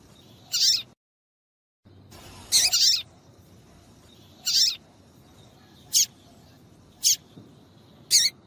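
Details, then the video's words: A female papa-capim seedeater gives piercing high chips meant to get males singing for competitions. Single notes come every one to one and a half seconds, with a short silent break early on. "MELHOR PIADO DE FÊMEA DE PAPA CAPIM PARA DEIXAR SEU PAPA-CAPIM DOIDO PARA CANTAR LOGO!"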